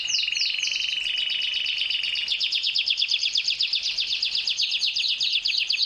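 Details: Courtship song of a canary directed at a female: a few quick downward sweeps give way to a steady high trill, then a dense, rapidly pulsing buzzy tour of repeated notes.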